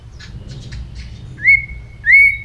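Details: White-rumped shama in morning voice training: after faint chatter, two clear, long level whistles, each starting with an upward slide, spaced about half a second apart.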